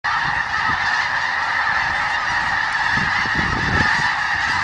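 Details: Large flock of snow geese at the Richmond Dyke: a continuous dense wall of overlapping nasal honks, steady and unbroken throughout, with low rumbling background noise.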